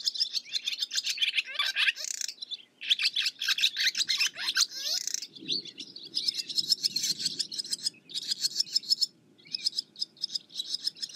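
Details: Long stretch of barn swallow twittering: dense high chatter with downward-sliding whistles and buzzy trills, a few short gaps, low murmur in the background.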